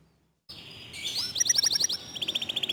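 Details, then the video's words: Local canary in fast 'tembakan' song, softer and set back: a short upward sweep, then bursts of quick high pulses separated by a brief gap, with light background hiss. "Kicau Kenari Lokal Tembakan speed rapat Suara Jernih"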